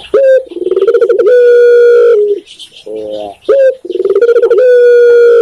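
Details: Spotted dove (Indonesian tekukur) from Indonesia giving its song twice: a sharp opening coo, a throaty vibrating roll, then a long steady coo that dips at the end, with a quieter low coo in the pause.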